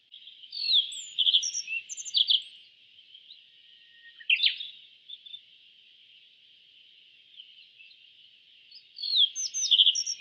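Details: Yellow bunting, an East Asian songbird, sings a twittering phrase, gives a brief harsh note, then sings another bright phrase after a pause. A steady high hum persists throughout.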